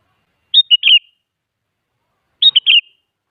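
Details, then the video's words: Sooty-headed bulbul song used as a lure to make other bulbuls answer: two short bright chattering phrases of quick whistled notes, about two seconds apart, clean and without background noise. "Suara Burung Kutilang Gacor Siap Buat Pancingan Jadikan Kutilang Malas Ikut Nyaut"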